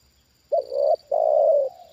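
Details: Trained spotted dove answering a wild bird lowered a second time. A single loud phrase: a short low coo, a brief gap, then a longer steady rolling coo, with a faint high whine behind.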